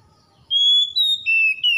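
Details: Oriental magpie-robin song used as a training lure to restore a stressed bird that has stopped singing: a series of four long, clear, pure whistles, the first held level, the later ones pitched slightly lower and gently falling.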